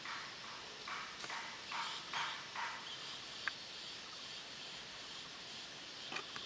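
Black-headed munia giving a loose series of short, soft notes, a few each second in small clusters, over a steady background hiss.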